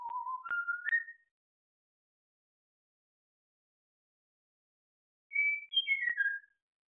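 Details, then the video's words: Pet African grey parrot whistling a rehearsal of "Bella ciao": a short rising run of clear whistled notes climbing step by step, a long pause, then a second phrase of high notes falling back down; no other sounds. "the African grey parrot - “Bella ciao” whistling rehearsal"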